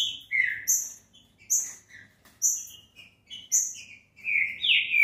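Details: Green-winged saltator song used for warming up a caged bird. Paired notes repeat about once a second, a high thin whistle followed by a lower slurred one, ending in a louder rising whistle.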